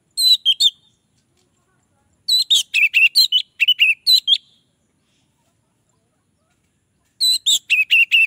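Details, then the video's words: Song of an orange-headed thrush, used to lure in other orange-headed thrushes, arriving as short bursts of quick, clipped whistled notes, roughly two per second, with long silent gaps between phrases. "Anis merah lain pasti akan terpancing bunyi"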